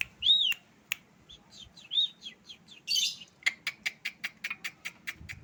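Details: A tame Asian pied starling singing vigorously: an arched whistle, then several short chips, a burst of harsh noisy notes and a fast series of evenly spaced sharp clicks.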